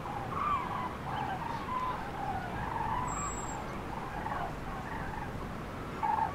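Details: Common cranes on spring migration over central France where departments 19, 24 and 87 meet, 5 March 2016, mid-afternoon, flocks scattered by bad weather; many overlapping rolling trumpeted calls follow one another steadily over a low rumble of wind.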